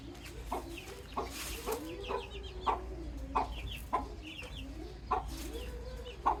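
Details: Baby chicks give short, high, downward-sliding peeps in small clusters, over lower drawn-out clucking tones and brief knocking taps.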